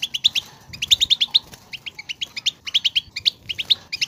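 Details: Goldfinch song to encourage another goldfinch to sing: continuous sparkling twitter of rapid high chirps in repeated bursts, a few clearer ringing notes standing out.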